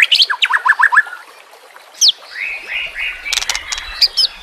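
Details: White-rumped shama song from a murai batu training recording with nature and water sounds: a rapid run of descending strokes, a sharp rising slur, then softer drawn whistles and a crackle of short high clicks amid low rumbling.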